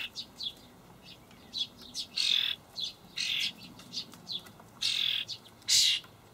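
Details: Fledgling common starlings in a Hamburg allotment garden, 28 May 2012, begging while adults bring dried buffalo worms: quiet chirps build into loud, harsh, hissing rasps of under a second, spaced irregularly.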